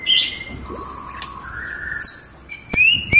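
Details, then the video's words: Tame white-rumped shama sings sparse, drawn-out whistles, some clear and level, others sliding, broken by sharp clicks and a rising high note near the end. "MURAI BATU JINAK MANTUL BUAT TEMEN NGOPI"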